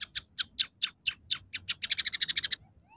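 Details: Scaly-breasted munia in gacor song with sparrow, red siskin and canary fill-ins: a series of sharp descending chirps that quickens into a tight rattling trill and then stops, over a low background hum.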